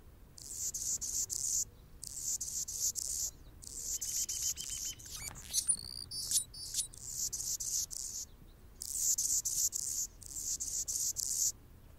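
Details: Territorial male Anna's hummingbird near a nest with a female and baby; very high, buzzy, scratchy pulses delivered in rapid clustered bursts with short pauses between groups, and a brief sweeping squeal midway.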